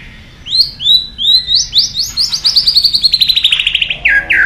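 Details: White-rumped shama song, repeated upslurred whistles at first, then speeding into a fast, even trill of bright notes, ending with lower swept phrases.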